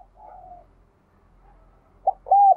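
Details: Spotted dove (cu gáy) cooing, a recording played to prompt captive doves to coo: a soft low tonal coo, a pause, then a short clipped note and a louder, steady, mellow drawn-out coo.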